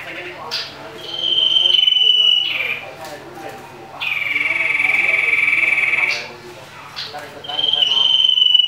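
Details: Common iora in a fight with a rival. Three long pulsing trills, each one to two seconds long, are separated by short pauses. The middle trill is the longest and slightly lower.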